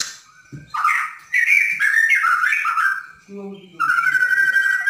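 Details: Borneo white-rumped shama, kept caged, singing a lively provoking song: rapid fluid warbled phrases rising and falling, a brief low note, then a long clear whistle with a buzzy edge.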